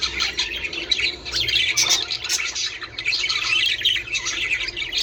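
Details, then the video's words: Group of budgerigars keeps up a continuous high twittering chatter with squeaks and a few sharp clicks, intended to stimulate the birds to breed. "من أجل تحفيز طيور البادجي على التزاوج"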